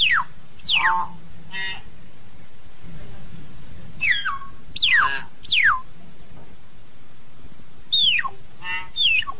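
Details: Loud, piercing whistles from a common hill myna calling to its flock, steeply falling and given in bursts of two or three every few seconds, over a low steady background rumble.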